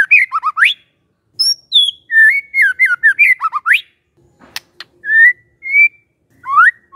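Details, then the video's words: Magpie-robin lure song to draw an answer from a silent bird: fast whistled slurs, high thin notes and rising sweeps, with clicks and a faint hum midway. "murai BENGONG langsung NYAUT dengar pancingan ini"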